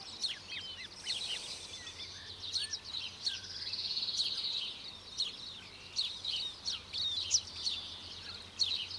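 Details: Australasian crested grebe family at Lake Benmore, Mackenzie Country: parents feeding two 16-day-old chicks fish and feathers. Dense high, thin piping whistles and short chirps overlap continuously, with a faint low steady hum underneath.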